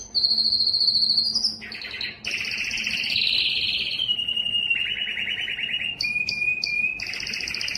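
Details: Singing yellow canary delivering varied tours: a high sustained trill, abrupt drops to lower rolling phrases, a smooth warbled passage, a steady mid trill, and brief high whistled notes over a faint low hum.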